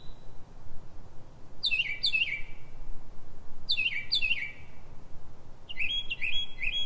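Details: Pre-dawn singing of a Northern mockingbird, Silver Spring, Maryland, USA, 03:44: paired sweeping downslurred notes repeated as phrases, then a rapid series of short chirps, each phrase separated by pauses, over faint low hum.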